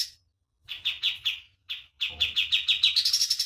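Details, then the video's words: Master recording of a common iora for training birds: spaced, emphatic chip notes, a short break, then a quickening series that lifts into a higher buzzy trill. "MASTERAN KAPAS TEMBAK GACOR DOR"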